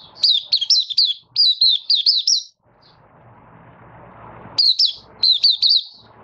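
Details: Opening song of a caged Malaysian oriental white-eye in minor moult, 24 August 2023: a long run of rapid, piercing slurred whistles, a quiet gap with background noise, then another bright burst of four or five notes.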